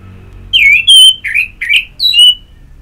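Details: Orange-headed thrush singing ngeplong style for song therapy that stimulates other birds: loud, full whistled notes, a few sliding down and others swooping up, separated by short pauses.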